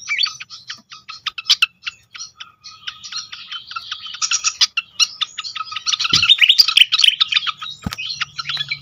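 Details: Pied fantail in a lure recording for caged birds, meant to set other fantails singing: dense rapid chatter of squeaky high chirps and short whistles, quick irregular notes building to a busier burst near the end, with two faint low thumps.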